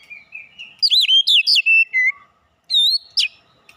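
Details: Oriental magpie-robin lure song for provoking birds to sing: a soft rising warble, then a burst of rich, looping whistled notes, a lower falling phrase, a pause, and two clear high whistles.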